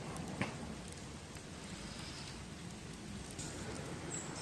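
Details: Steady rain patter on surfaces, a soft even hiss with occasional sharper drops and no animal voice.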